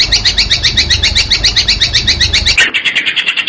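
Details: Gabusan lampir masteran for a prospect long-tailed shrike: loud, quick, high chirps repeated rhythmically over a low background hum, which drops out, leaving clean repeated notes.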